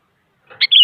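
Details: Sooty-headed bulbul, a very active singer used to goad rival bulbuls into singing: one short bright phrase, a chirp followed by a slurred whistled note, with faint softer notes just before.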